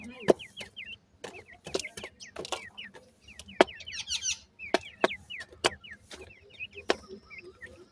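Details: Grey francolin (bhura teetar) chicks give repeated high, thin peeps, each sliding up or curling downward, sometimes in short strings, among loud scattered clicks and knocks.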